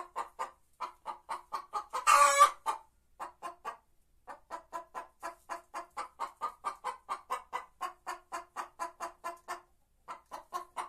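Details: White Leghorn hen song of evenly spaced, low clucks continuing for about ten seconds, with one loud raspy squawk near the start and a short pause later.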